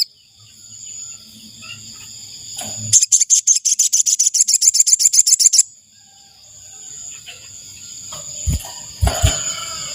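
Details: Decoy call of an ashy tailorbird for luring wild birds: a long train of quick, evenly spaced high chips, nearly three seconds, framed by a steady high-pitched whine and a few low knocks near the end.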